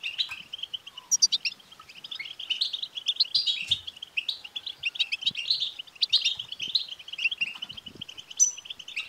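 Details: Twittering btbta song of a European goldfinch, meant to spur a male goldfinch into singing. It is a dense, unbroken chatter of quick chirps with scattered high ringing notes and short buzzy trills.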